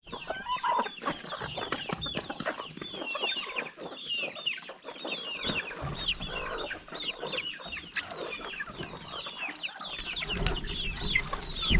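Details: Flock of hungry chickens gathering for their first meal during a calm countryside morning feeding. A dense, continuous chatter of short high chirps and soft clucks, with scattered pecking clicks and background rustle growing louder at the end.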